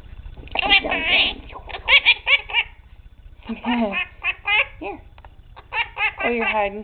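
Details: Indoor pet male Quaker parrot that talks a little, clucks like a chicken and makes kiss sounds: busy, raspy chatter of short bent notes in three clusters, high and squeaky, with brief pauses between groups.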